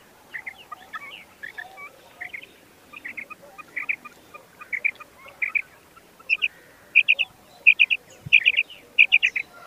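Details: A common quail (Coturnix coturnix) gives its liquid three-note 'wet-my-lips' phrase over and over, the phrases coming faster and louder toward the end against a quiet background.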